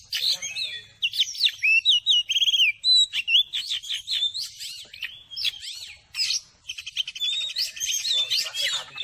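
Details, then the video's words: Oriental magpie-robin song played as therapy to excite a slow-to-heat caged bird into singing and opening its tail; rich series of clear whistles, rising and falling slurs and buzzy trills, delivered rapidly with short gaps. "TERAPI KACER CEPAT NAIK EMOSI"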